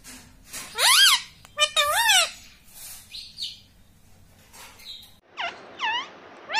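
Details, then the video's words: Talking pet rose-ringed parakeet that says 'mummy' and 'papa': several strong wavering, speech-like syllables close together, then quieter short sweeping notes and thin squeaks, over a low background hum. "मम्मी मम्मी बोलता तोता - पापा बोलने वाला तोता"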